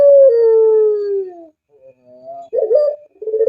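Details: Low, mellow dove coo from a puter bird: a long descending note lasting over a second, faint quiet notes, then a short pulsed burst rising into a steady tone and another trilled start, no other sounds.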